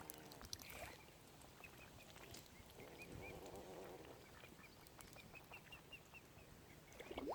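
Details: Tiny baby mute swan cygnets at Oxford Island Nature Reserve, Lough Neagh, Ireland, give thin, high peeps in quick irregular runs, a few each second, over steady rushing wind or water noise.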